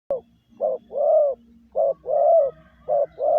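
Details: Caged spotted dove used as a decoy, giving a lure call in the 'gáy gù' style: low hollow coos, each phrase a short note then a longer drawn-out falling coo, repeated three times in quick succession.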